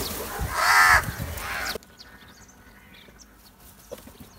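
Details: A crow gives one loud, hoarse caw lasting about a second, followed by near silence with a faint distant call.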